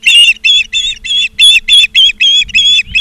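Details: Osprey near its Charlo, Montana nest on 17 August 2023 in the afternoon: a steady run of ten loud, shrill, squealing whistles, each about a quarter-second long, repeated evenly about three per second.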